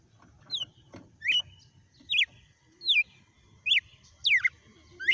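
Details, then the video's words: Red-cowled cardinal (galo-de-campina) giving a good sequence of song: clear whistled phrases, each a bright sliding note, some rising and some falling, repeated roughly every 0.8 seconds, with a low rumbling background. "Galo de campina na SEQUÊNCIA DE CANTO"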